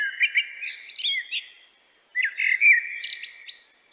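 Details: A Common Blackbird singing in the evening gives two unhurried phrases, each a low, mellow fluted warble that breaks into a squeaky, high twitter, with a brief pause between them.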